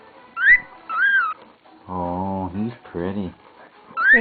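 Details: Pet cockatiel whistling short arched notes while a person talks to it, coaxing it to speak; human speech fills the middle before another rising whistle.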